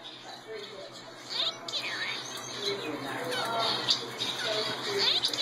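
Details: A hand-raised male red-headed finch gives rapid chirps and sweeping squeaky notes, mixed with low, voice-like phrases imitating "thank you very much."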